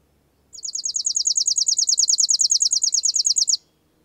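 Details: Chipping sparrow singing one steady trill of quick, down-slurred high chips, about three seconds long and evenly paced, against a quiet background.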